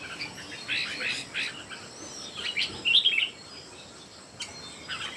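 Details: Red-whiskered bulbuls, three singing against each other, delivering brisk bubbly warbled phrases, the loudest burst of quick notes in the middle, with continuous high background buzz.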